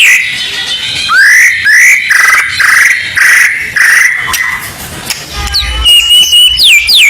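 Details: White-rumped shama song used as contest-preparation audio: repeated rising whistled notes about every half second, a short pause, then higher sliding whistles and falling notes.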